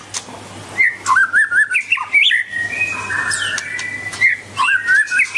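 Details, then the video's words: White-rumped shama, dancing and singing: warbled whistled phrases lead into a long, steady whistled note, then more fluid warbling, with a faint low hum throughout. "White-rumped shama(Copsychus malabaricus): Beautiful Birds,Dancing And Singing Chirping Sounds Great"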